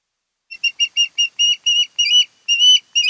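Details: Nesting osprey pair's site on Kent Island, Maryland, camera recording from 10 August 2018, 02:30–03:30; quick repeated piercing whistles, about two per second, lengthening into drawn, wavering notes toward the end.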